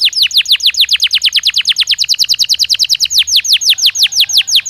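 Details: Belgian canary stimulus song meant to make a canary sing more: rapid repeated downward-sweeping whistles, about three per second, slowing slightly toward the close.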